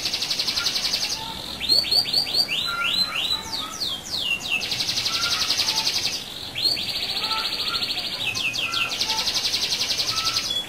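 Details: Chatty canary delivering a rolling song meant to get other canaries singing: long even buzzy rolls alternate with clusters of quick descending whistled sweeps, the pattern repeating over several phrases.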